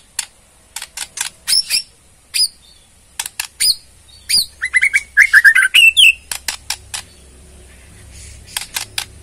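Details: Murai Borneo, a White-rumped shama, in ketrekan meant to draw a response: many sharp clicks in irregular rows with a short burst of rapid chattering notes in the middle.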